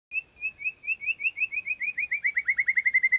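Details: White-rumped shama (murai) song used as training material for song competitions: a long run of clear whistled notes, about three or four per second, speeding up and gradually falling in pitch toward the end.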